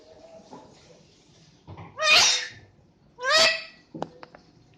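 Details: Lory imitating a human cough: two loud, harsh, rasping bursts about a second apart, each with a rising honk-like start, followed by a few short sharp clicks.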